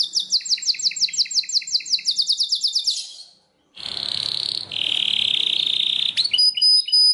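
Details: Belgian canary with a rapid, evenly repeated high trill for three seconds, a pause, then a long buzzy continuous roll and a few sharp whistled notes.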